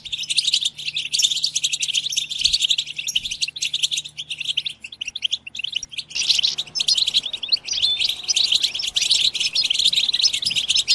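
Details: Group twittering (batbata) of European goldfinches, used to stimulate goldfinches into song: dense, continuous high chirps and tinkling twitters overlapping throughout, with a faint hiss joining in the second half.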